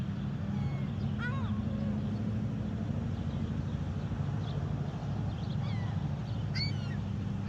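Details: Gulls at a car charging station in Hines, Oregon, give a few scattered, downslurred mewing calls over a steady low hum of vehicles and engines.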